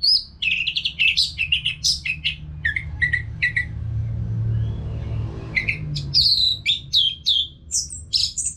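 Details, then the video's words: Orange-headed thrush pouring out continuous song, used to train caged birds. Dense, rapid, varied chattering and whistled notes are followed by a brief pause with low rumble, then more high sweeping phrases. "ANIS MERAH GACOR TIADA HENTI TANPA NGETEM"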